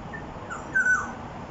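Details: Fluty whistle of a black-naped oriole in Jurong East, Singapore, near 1 pm on 13 October 2021. A short lead-in note precedes a loud, level musical whistle that slides downward at its close. Steady low background noise.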